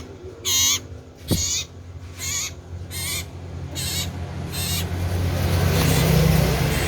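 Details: Common iora calling loudly: six harsh, nasal notes at an even pace, the first ones clearest, with a sharp click early on and a rising low rumble building toward the end.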